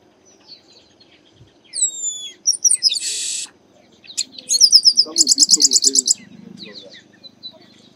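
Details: Chestnut-capped blackbird singing in the Bahia sertão, Brazilian Northeast: downslurred whistles, a harsh buzzy burst, then a rapid run of about ten sharp repeated chips, with faint low murmuring behind.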